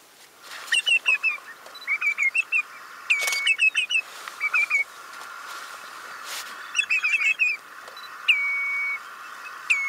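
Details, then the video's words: Eurasian oystercatcher giving loud piping calls: quick clusters of shrill, slightly downslurred 'kleep' notes in rapid runs, with a few long flat whistles between, over a steady background hiss. "BRODZIEC KRWAWODZIOBY"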